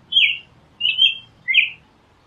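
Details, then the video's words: An American robin sings three clear, slurred whistled phrases, each about half a second long and evenly spaced, the last dropping lower; only a faint low hum behind. "Canto!!! Tordo- Americano"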